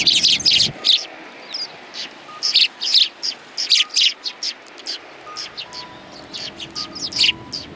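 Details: Excited chatter of sparrows on a bench at a Tenmangu shrine in January 2020: quick, high, clipped chirps, roughly two or three a second, loudest at the start, with a faint tonal whine behind.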